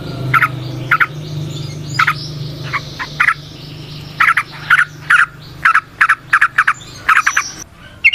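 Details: Yellow-vented bulbul (trucukan) in energetic long rolling song meant to lure other birds: irregular bubbly chirp bursts, sparse at first then denser, over a low droning hum.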